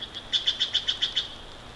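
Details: Bald eagle at a nest in Big Bear Valley on 29 March 2023 around 09:40, captured from a nest live stream. Seven rapid, high, thin chittering notes run in an even series over steady background hiss.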